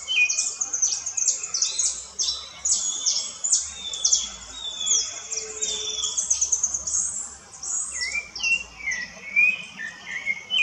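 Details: Rufous-bellied thrush singing in the woods: short whistled phrases, some sliding upward, at middle pitch, under a dense layer of rapid high chirps and trills from other birds.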